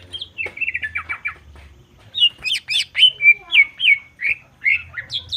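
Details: Greater green leafbird, a caged songbird, singing a rich, loud varied song used to provoke other birds: slurred whistles and buzzy notes around high pitch, quick chattering bursts then clear descending whistled notes, with a low hum underneath.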